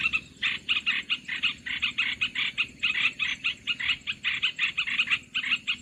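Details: Olive-winged bulbul lure sound for bird trapping: a steady series of harsh, buzzy chattering pulses, roughly four per second, sustained and fairly even in loudness throughout.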